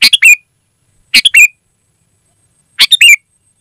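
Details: Loud, clear song of a sooty-headed bulbul, used to call wild birds in the forest. Three rapid, liquid three-note phrases, each closing on a curling whistle, come roughly every one to one and a half seconds with silence between.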